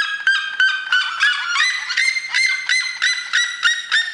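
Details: Red-legged seriema in full cry: steady series of loud, nasal yelps about three per second, each note bright and harmonic-rich, rising slightly in pitch as the sequence builds.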